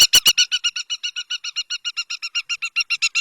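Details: Fast, even rattle of short, shrill notes from a river lapwing, about four per second after three loud opening notes.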